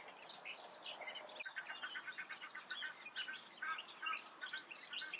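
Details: Eurasian reed warbler chattering song of jerky, repeated notes, some lower and churring, over steady background hiss, with a few thin, high sounds at the start.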